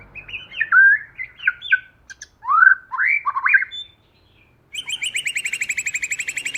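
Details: Caged white-rumped shama used as a lure bird, singing a wild 'forest voice' song: a loud sequence of varied slurred whistles and warbles, a brief silence, then a rapid, even trill of repeated notes to the end.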